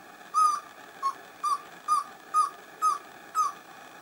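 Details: Pale-billed antpitta at San Lorenzo, northern Peru, in chusquea bamboo and humid montane forest. Seven clipped, hollow whistled hoots repeat at an even pace of roughly two per second.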